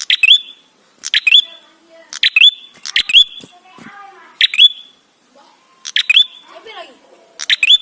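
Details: Ashy tailorbird song played as a lure to bring birds into song. Seven loud phrases of sharp chips and a rising whistle tail repeat steadily, with soft lower chatter faintly behind.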